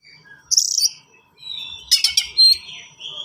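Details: Oriental magpie-robin (kacer) in energetic, rapid song: a bright high whistle, then a burst of dense scratchy notes and a clear thin whistle sliding downward, with gaps of near-silence between phrases.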